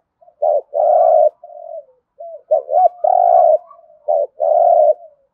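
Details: Spotted dove cooing in the thúc gù manner, thổ rền voice: three phrases of a short sharp note plus a long resonant, vibrating coo, separated by quiet drawn-out murmurs.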